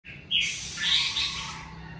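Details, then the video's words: Red-whiskered bulbul singing naturally at home during the covid season: a short phrase of bright whistled notes high in pitch, with a loud rustling burst, possibly a wing flutter, in the middle. "Mào ché tự nhiên tại nhà mùa covi"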